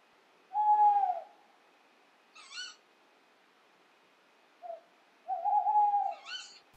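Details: On a calm winter night, a Tawny Owl sings before courtship, giving two long, mellow, level hoots a few seconds apart, each with a short wavering tail. Brief higher, harsher notes sound between them. Finding: Tawny owl.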